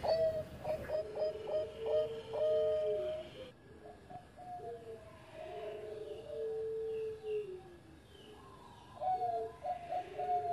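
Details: Former champion Bangkok zebra dove cooing in rapid stuttered runs, partly masked at first by a steady background hiss. Clearer long low coos and hooked notes follow, with faint higher chirps behind.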